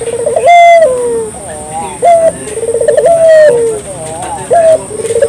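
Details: Local collared dove, a clear recording used as a lure for morning, noon and night: low mellow coos, each a steady held tone ending in a drooping slur, with short rapid pulsed rolls between them, repeated every few seconds.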